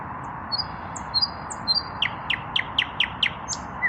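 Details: Unpaired male common nightingale singing in the evening, breast lifted: a few soft thin whistles, then a rapid series of six loud descending notes, ending in a higher buzzy note, with steady low background noise.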